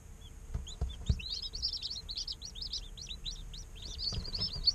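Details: Day-old chicks in an incubator chirping nonstop, a dense stream of high, bent peeps overlapping rapidly, about four per second, with a few soft taps in the background.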